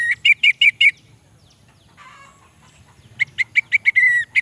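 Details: Lure recording of orange-headed thrush song for lazy males: a fast series of five clipped chirps, a quiet gap with a soft rasping phrase, then another run of sharp notes ending in a longer whistle.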